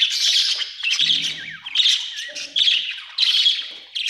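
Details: Budgerigar chattering in rapid buzzy chirps in several bursts, with a few whistled upslurred notes mixed into the warble.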